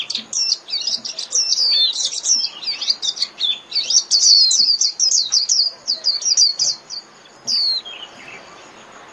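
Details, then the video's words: A Japanese white-eye calls the flock with a long, rapid twittering song of high chirps and slurred whistles, about three notes a second, tapering into a few isolated notes near the end. "Chim Vành Khuyên (Chim Khuyên) hót gọi bầy"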